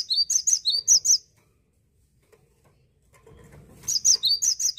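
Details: Cinereous tit singing a bright, high two-note phrase repeated rapidly, about six times. A second run of the same phrases follows after a quiet pause of nearly two seconds that holds faint low rumbling.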